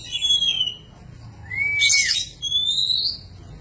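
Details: Oriental magpie-robin training song for cage birds: clear whistled slurs, one rising then falling, between a short burst of scratchy high notes and a rising whistle at the end.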